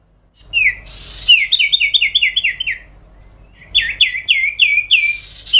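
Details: Continuous song from a sooty-headed bulbul: a rushing noise, then two fast runs of ringing descending whistles, about five to seven notes each, delivered loudly with little pause.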